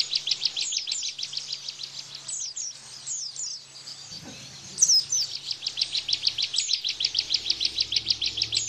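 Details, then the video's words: Ciblek, or bar-winged prinia, singing tembakan style as a training master for pleci: quick runs of sharp high chips about three per second, a short quiet gap, then a denser rattling burst. "Tembakan Ciblek Bren Untuk Masteran Pleci Plus Therapy"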